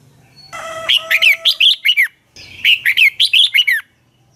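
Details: Dueling song of a red-whiskered bulbul sung in the morning, recorded as a lure bird to train and excite other bulbuls: two fast phrases, each of about seven clear, rich whistled notes rising and falling, separated by a short pause.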